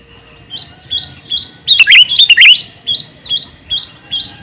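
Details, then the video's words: Male sooty-headed bulbul gives a loud burst of bubbly, tumbling chirps amid a steady series of thin, softer repeated chirps in the background. "Suara Burung Kutilang Jantan MeManggil"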